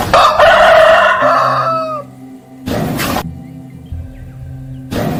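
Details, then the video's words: Rooster crowing: one loud, harmonic-rich cock-a-doodle-doo lasting about two seconds that falls away at the end. Steady humming music and short bursts of noise follow. "Sounds of farm animals caw, goat, pig, chicken, duck, camel, sheep"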